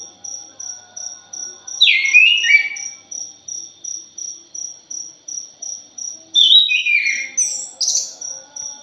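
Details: Anis thrush, called punglor, in a lure recording: a short descending whistled phrase, a pause filled by rhythmic high ticks, then a longer climbing, chattering whistled phrase.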